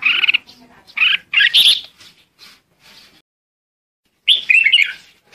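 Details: A red-whiskered bulbul calls to gather its flock with three quick bright chirps, then a pause and a rich, tumbling warble. No other sounds intrude.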